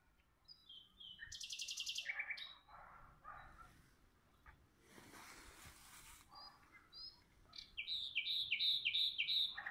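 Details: Rival nightingales countersinging: a loud buzzy phrase and varied notes, a noisy rushing stretch, then a steady, rhythmic series of repeated bright notes at the end.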